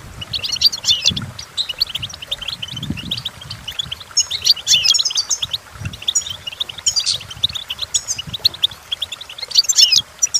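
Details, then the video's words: Goldfinch song for training goldfinches: lively, dense high twittering and chirping throughout, with louder jangling bursts near the start, middle and end, and a few soft low bumps. "The Entrancing Song of Goldfinches"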